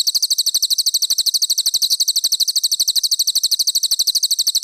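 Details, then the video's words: Sharp, dense cililin song offered as training material for contest birds. Very regular, quick high chirps pour out continuously, each note crisp and evenly spaced. "Masteran Cililin Premium: Suara Gacor Juara untuk Burung Lomba!"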